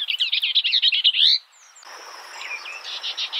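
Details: Skylark pouring out a quick series of bright repeated chirps, then a brief break before softer, evenly spaced notes continue over a thin hiss.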